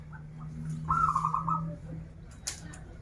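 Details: Local zebra dove from Banten, Indonesia, a keen krital and warung kebek singer, pours out a fast rolling trill of rounded coos for nearly a second, over a steady low hum, with a crisp rustle afterward.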